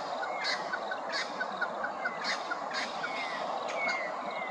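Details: Grey-crowned babbler calling at Hervey Bay, Queensland: a series of short upslurred whistled notes and soft repeated clipped notes, interspersed with brief harsh bursts, over a steady background hiss.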